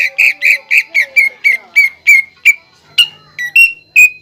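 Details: Greater green leafbird singing steadily, its song filled with pelatuk bawang (flameback woodpecker) imitations favoured by judges. Evenly spaced, piercing whistled notes come in a quick run, then slow into separate rising whistles and a brief rattle.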